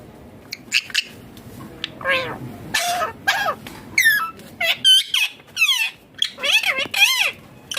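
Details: Green ringneck parrot, a rose-ringed parakeet, vocalizing naturally while eating food: a run of bent, warbling notes and quick rising and falling squeaks, some sharp and high, separated by short pauses in a small indoor space.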